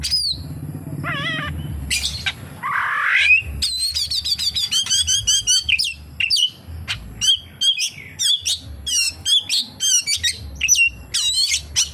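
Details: Oriental magpie-robin singing a fill-in of kapas tembak mimicry: a low buzzy opening, then rapid runs of sharp, high whistled notes and quick chips repeated in a lively, unbroken stream.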